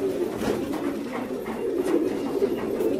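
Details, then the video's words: Fancy pigeons cooing indoors, low soft throaty coos that swell and fade in a steady rolling pattern, several birds overlapping in a small room. "Pigeons Sound"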